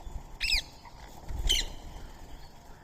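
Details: Indian ringneck parrot during its feeding time, sharing soaked rice and corn with a squirrel; two short, harsh, rasping squawks about a second apart, with low rumbling noise underneath.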